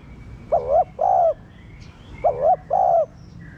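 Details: Spotted dove giving two low double coos, a short undulating note followed by a longer level one, used to encourage caged doves to coo; faint high chirps of other birds.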